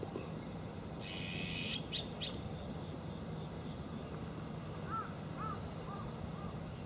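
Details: Azure-winged magpie giving a long harsh rasping call followed by two short grating notes, then a series of soft rising-falling whistles from another bird, over steady low background noise.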